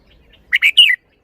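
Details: Red-whiskered bulbul giving one short, clear phrase: two quick chirps leading into a longer, warbling whistle that falls away at the end.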